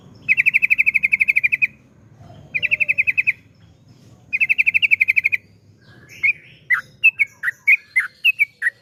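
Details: Long 'ropel' trills of a yellow-vented bulbul, used to make other bulbuls sing: three fast, even rattling bursts of chirps each about a second long, followed by a looser run of separate whistled notes.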